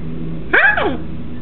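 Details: A pet blue-and-gold macaw, watching yard workers mowing outside, gives one short, speech-like cry that swoops up and falls back, like a drawn-out hello, over a low indoor hum.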